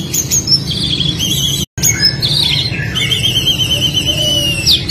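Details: Oriental magpie-robin fighting song, used to train young birds to sing: loud whistled phrases, some warbled and some drawn out and gently falling, over a heavy steady background rush, with a brief dropout near the start.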